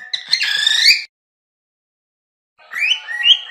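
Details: Cockatiel giving harsher, buzzy-edged whistles that slide upward, in two short bursts separated by silence.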